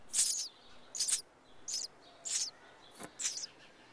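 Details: Sparrow nestlings of a second summer brood, in a nest on the side of a house, begging for food when disturbed. Six high, thin, squeaky chirp bursts over four seconds, each brief and scratchy, with quiet gaps between.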